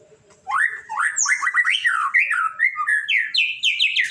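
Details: White-rumped shama, known locally as murai batu, singing a rich, melodious run of rising and falling whistled phrases that climb steadily higher, delivered rapidly and continuously.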